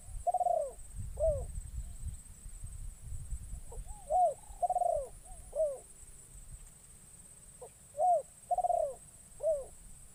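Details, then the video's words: Spotted dove, a trained caged decoy taken into the forest for the first time, calling to lure wild doves; three phrases of cooing notes, each a short coo followed by a longer rolling coo and a falling note, over low rumbling background noise. "Burung Terkukur Pikat"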